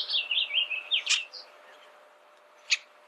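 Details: Bullock's oriole singing a quick run of clear whistled notes that slide up and down, ending in a sharp chip; after a pause one more loud, abrupt note rings out.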